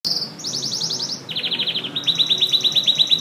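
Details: Canary singing intensely: a high, rapid trill of bright repeated notes slides into a lower run of quick, evenly pulsed notes, then a steady rolling trill repeated about three times a second, with no other sounds.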